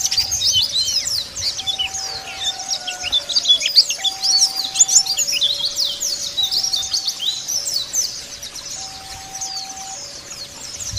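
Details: Wild white-eyes, Bali dakun type, calling rivals: a continuous tangle of thin, high, quickly slurred chirps and trills, loud and energetic, with a soft background tone switching between two pitches.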